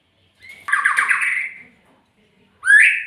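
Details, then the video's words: Magpie-robin giving one harsh, buzzy rattling phrase that slides downward and lasts about a second. After a short pause it starts a second rasping note with a rising start. The background is otherwise quiet. "SUARA burung MURAI"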